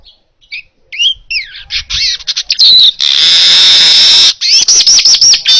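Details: Baya weaver song for training other birds: scattered soft whistled slurs build into sharp chatter, a long steady wheezing hiss, then rapid repeated looping whistles, loud and near.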